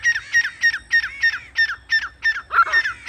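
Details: Grey francolin used as a hunting lure sound, giving a loud, harsh call of clipped notes repeated about three times a second, each with a sharp, slightly falling pitch, steady and insistent throughout.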